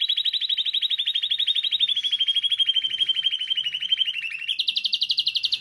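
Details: Spanish timbrado canary, recorded for song learning, holds a fast continuous trill that falls gently in pitch and then jumps to a higher, louder pulsing trill near the end.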